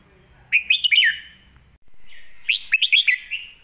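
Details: Red-whiskered bulbul master song meant to teach young birds: two clear phrases of rapid, bouncing whistled notes, each ending in a falling slur, separated by a short pause.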